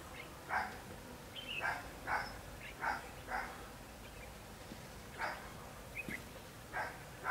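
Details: Red-whiskered bulbul used as a decoy to lure wild bulbuls into a trap at Hòa Chanh; short bright whistled phrases repeated about every half second to second, with rustling and a man speaking nearby.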